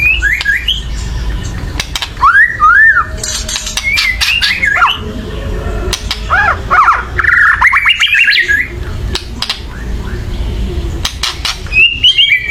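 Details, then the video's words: Loud, agitated white-rumped shama calling to rouse other birds: harsh squawking chatter mixed with looping whistled phrases and sharp clicks over a low background hum. "kretekan keras murai / menaikan emosi agar bunyi"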